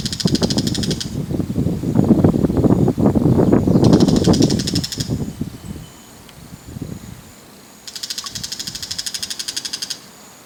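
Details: Two Bull-headed Shrikes calling (not song) from an antenna while holding food in their beaks: three bursts of fast, harsh, high ticking chatter, each one to two seconds long. Low rumbling wind or traffic fills the first half.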